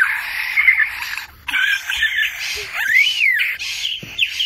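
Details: Australian lyrebird recorded in 2019 giving a dense, scratchy jumble of calls, overlaid with bright whistles and an arching slurred note near the end, broken by short silences.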